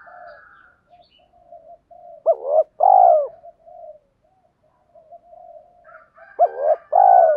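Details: Decoy spotted dove calling and urging to bring in wild doves: low murmuring coos build into a sharp rising note and a long loud coo, and the same two-part phrase repeats about four seconds later.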